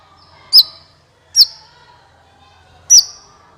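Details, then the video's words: Sunbird called kolibri ninja, recorded as a lure for trapping. Three loud, piercing, downslurred chips, each trailing into a thin high tone, spaced about a second apart over a quiet background. "SUARA PIKAT BURUNG KOLIBRI NINJA"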